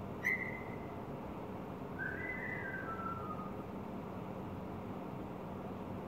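A bulbul gives one short whistled note, then after a pause a clear whistle that rises and falls, over a steady background hiss.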